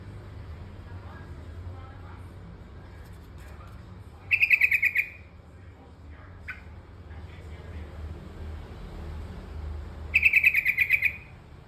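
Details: Terucukan kebo bulbul repeating a brief rapid phrase of clipped, bubbling notes twice, about six seconds apart, with a low background rumble and a few faint chirps between.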